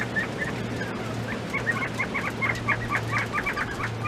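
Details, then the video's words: Penned mountain quail eating treats, uttering a quick irregular series of bright chirping notes that builds after the first second, with a steady low hum behind. "Mountain Quail eating Treats"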